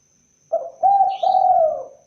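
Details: Single phrase from a spotted dove (tekukur or derkuku): a short soft opening coo, then two sustained, mellow, slightly falling coos, with a brief high chirp from another bird over the middle.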